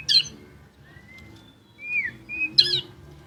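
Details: White-rumped shama, a champion singer in full voice, giving harsh buzzy bursts at the start and end of the phrase, with thin high whistled notes between them and a faint low hum in the background.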